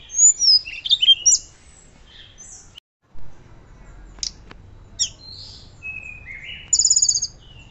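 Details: Hill blue flycatcher singing in a loud fluting style, intended as a master for other birds; tumbling high whistled notes, a short break, then scattered chips and drawn whistles ending in a rapid buzzy trill.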